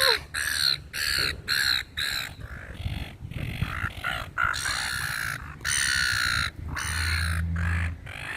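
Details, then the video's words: Gulls crowding for food in a park call in rough, nasal, strongly repeated bursts, one after another, with low rumbling background noise beneath the flock. "FEEDING THE SEAGULLS IN THE PARK/ SEAGULLS SOUND EFFECT"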